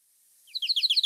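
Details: Canyon Towhee (Melozone fusca) song, a fairly trilling example, much lower pitched than Chipping Sparrow, never insect-like: a fast, chipping trill of about eight high, slightly downslurred notes, cut off after half a second.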